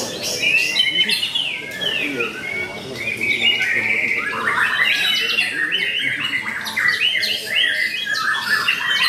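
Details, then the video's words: White-rumped shama performing at a bird singing contest in a fierce fighting style: rich, loud whistled phrases with rising and falling sweeps and sharp chips, overlapping other singing birds and a murmur of people talking. "MURAI BATU NARUTO KEMBALI TAMPIL APIK DENGAN GAYA TARUNG SUPER GAHAR"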